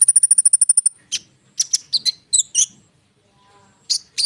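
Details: Konin bird in lure song opens with a fast, even, high trill of about twelve notes, then scattered sharp chips and bright whistled notes with brief silences.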